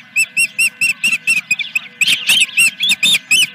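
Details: Osprey at Dunrovin Ranch, morning of 3 May 2021 around eight o'clock, first fish of the day: a fast run of high, clear chirped whistles, about two per second, steady and evenly spaced, with a faint low hum underneath.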